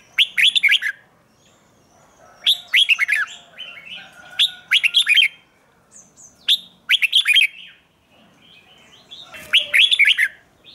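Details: Morning singing of a Red-whiskered bulbul in training, 'chè' style: about five loud, quick warbled phrases, each a tight cluster of sliding chirps, repeated every two seconds or so, with soft chatter in the gaps.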